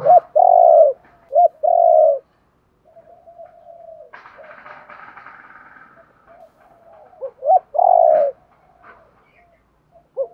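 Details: Spotted dove cooing to stimulate wild-caught birds to call. A long rolling coo and a short-note phrase open the recording. Quiet mumbling notes and a rustling noise follow, then another phrase of quick notes and a drawn-out coo.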